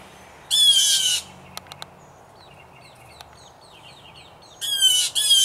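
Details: During a territorial fight among three to five blue jays in a home tree, a rasping scream opens, then a pause with faint clicks and small chirps, then two more harsh screeches close together.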